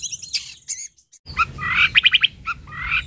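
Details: Long-tailed shrike, locally called cendet or toed, singing energetically: after a short pause come harsh, buzzy chattering notes, then a quick run of four or five clipped, evenly spaced notes and scratchy trailing phrases, over faint low background hum.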